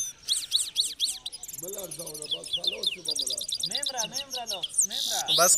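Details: Goldfinch of Parachinar in song, a bright, rapid chatter of high trills and tinkling notes running throughout, while a man talks in the background for much of the passage.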